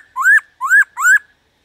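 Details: Black-throated laughingthrush, wild-caught style song used to excite other birds: three clear whistled notes, each sliding upward then dipping, evenly spaced about half a second apart, no background noise.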